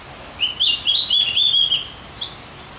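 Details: Javan grey-throated white-eye used to rouse other birds' excitement, delivering a fast high warbled phrase of run-together chirps for over a second, then one separate short note after a brief pause.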